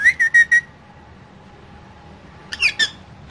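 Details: Pet parrot in a small cage, dancing and said to talk like humans; a quick run of four short whistled notes, a long pause, then a tight cluster of raspy squawking notes.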